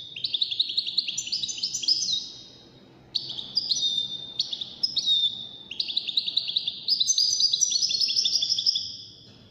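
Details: European goldfinch, one of five in a song competition of the widaniya style; bright high phrases of sustained, stepped whistles and twittering notes, broken by a short pause, then a busier run of overlapping high notes.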